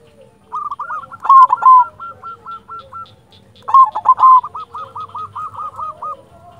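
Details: Local silver zebra dove in vigorous song meant to excite and lure other doves: two phrases, each a loud rolling burst followed by a steady train of short hooked cooing notes.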